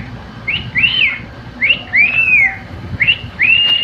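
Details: Singing male pet cockatiel: three whistled phrases, each a short upward chirp followed by a longer smooth arching whistle, repeated at roughly one-and-a-half-second intervals.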